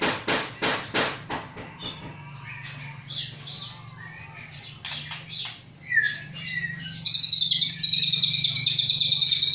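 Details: Captive Aceh-line white-rumped shama, hatched 23 August 2012 and prepared for breeding, heard after a run of sharp tapping knocks: scattered whistled notes and then a sustained high, buzzy rattling trill, with a low hum throughout.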